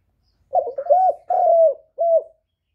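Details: Kept spotted dove, recorded directly with no noise, calling loudly: a low, mellow phrase made of a wavering start, a drawn-out hoot, a longer smooth coo and a clipped ending note.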